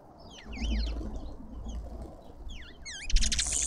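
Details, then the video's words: Lovebirds at a feeder in a Pretoria suburban garden, South Africa, call in short shrill, curling chirps, a pause, then a fresh burst of down-swept squeaks and a harsh rasp, over low thuds. "Lovebirds endlessly"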